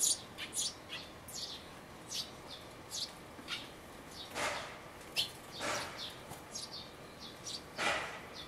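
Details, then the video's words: Sparrow nestlings close to fledging inside a birdhouse, recorded 12 May 2012: a busy stream of short high chirps and scratchy broadband squeaks, several overlapping, with a few louder harsh bursts near the end. "巣立ち間近の雀のヒナ The young sparrow in birdhouse"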